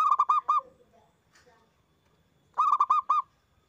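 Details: Loud zebra dove song used as a lure to stimulate other doves: two fast phrases of five or six bright, bubbling cooing notes, separated by a short quiet gap.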